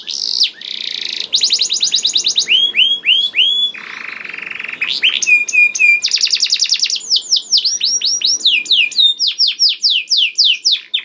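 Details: Canary lure song meant to make canaries sing readily, mixing fast trills, buzzy stretches, rising whistled notes and long runs of quick descending chirps.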